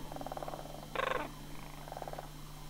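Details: Faint, distant sandhill crane calls during the September 2009 autumn migration at Homer. Soft pulsed trills are heard, with one stronger rattling call in the middle, over a steady low hum.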